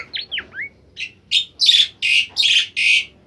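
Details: Actively singing bimoli bird, melodious training song: three quick slurred whistles, then a rhythmic run of loud, broad buzzy notes repeated roughly every third of a second.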